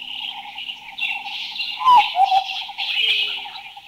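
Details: Large Scimitar Babbler from Thailand giving one loud, brief whistled note that drops in pitch, followed by a softer lower note, over a steady buzzing and trilling insect chorus.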